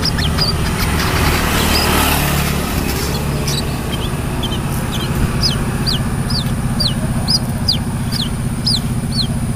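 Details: Brown-throated sunbird singing actively, giving a rapid run of sharp, high, downslurred chirps, roughly two per second in the second half, above a constant droning low hum.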